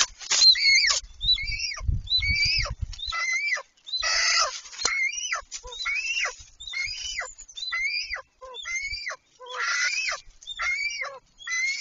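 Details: Golden eagle pair mating on their nest on 26 March 2023: a series of high, sharp yelping notes, each rising then bending over, repeated roughly every second for about twelve seconds, with a brief burst of low rustling early on.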